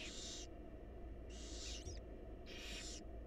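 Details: Nest-box barn owl young, wild and fed by their mother, give three drawn-out hissing screams in quick succession, with faint scratchy clicks between them and a steady low hum beneath.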